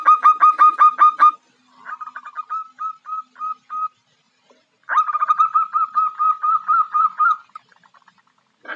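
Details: Female zebra dove calling to attract a male: runs of rapid, staccato cooing notes, first a quick burst, then slower spaced coos, then a longer rolling trilled series after a short pause.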